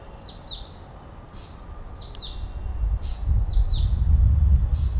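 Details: Blue-capped Rock Thrush (Monticola cinclorhyncha) gives high, down-slurred whistles in quick pairs, repeated about every one and a half seconds, over a rising low rumble of wind.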